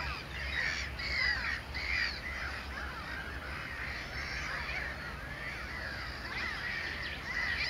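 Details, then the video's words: Breeding colony of Mediterranean gulls at Sol de Loire, Montjean-sur-Loire, Maine-et-Loire, 12 May 2013, shared with black-headed gulls and common terns; clustered bursts of nasal, slurred calls from several birds, quieter pauses between, constant low hum. "Mouettes mélanocéphales (Larus melanocephalus, Mediterranean Gull)"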